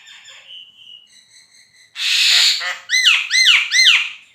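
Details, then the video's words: Black-winged starling (jalak kebo) singing for songbird-competition training: thin high whistles, then a burst of loud harsh noise, followed by three loud ringing arched whistled notes in quick succession. "JALAK KEBO GACOR COCOK BUAT MASTERAN BURUNG GANTANGAN JADI JUARA"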